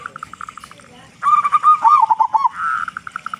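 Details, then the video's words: Local zebra dove with a loud voice, singing to draw other doves into song; soft pulsing coos build to a louder rolling, slightly descending trill, then return to a quick, quieter pulse. "Perkutut Lokal Gacor Suara Besar Pancingan Burung Perkutut Agar Cepat Bunyi"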